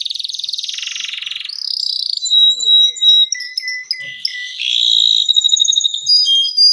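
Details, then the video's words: Canary song for baiting and mastering other canaries: an opening buzzy rattle, then quick clipped whistles and chips, ending in rolling high trills. "THIS LONG GACOR Canary is suitable for baiting, mastering PAUD CANARI and SOUND-MAGIC CANARI"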